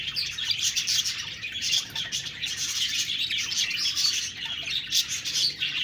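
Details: Budgerigar group chatter: rapid overlapping chirps and warbles, a continuous high twittering chorus.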